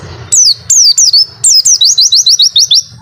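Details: High white-eye song in the long 'wit-wit' masteran style: three loud whistles slurring downward, then an even series of about eight short rising chirps.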